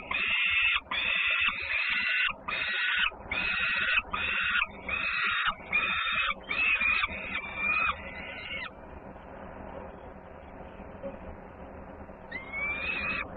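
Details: At a Polish peregrine falcon site in Włocławek, 3 June 2010, a sister bird comes back noisily around feeding time; a rapid run of grating screams for eight seconds, then quiet hiss and one more rising call.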